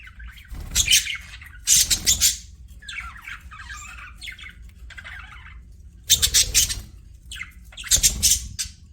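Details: Pet budgies give loud harsh squawking bursts in pairs, with softer warbling chatter filling the gaps between them.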